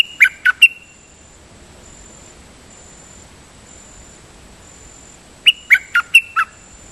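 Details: Siang to decoy song from a dok taeng bird. A short burst of three crisp notes comes first, then a long quiet gap with faint hiss, then a longer run of five whistled notes with drawn-out tails.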